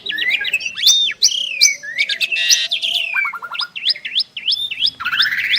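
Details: Two Asian pied starlings singing together: looping slurred whistles, bright chirps and a short run of rapid repeated notes, then a series of V-shaped whistled calls and a rising final phrase.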